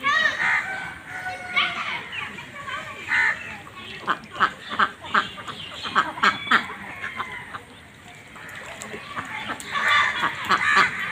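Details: Farmed ducks on a pond, harsh nasal quacks tumbling out in rapid, irregular bursts, several calls overlapping, with a brief lull before a fresh flurry of quacking near the end.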